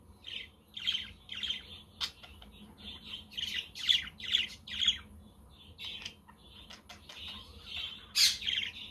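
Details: A flock of budgerigars on a sunny, windy day, with a quaker parrot and a conure in the background: rapid, busy chirping with many short bright notes in quick bursts, and a single sharp loud squawk late on.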